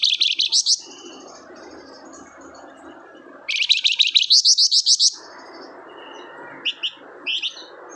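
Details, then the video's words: Energetic flamboyan song played to stir a quiet bird into singing: fast strings of sharp, high, chattering notes in two long bursts, then scattered short chips over a steady low background hiss. "BURUNG FLAMBOYAN GACOR 100% AMPUH UNTUK PANCINGAN"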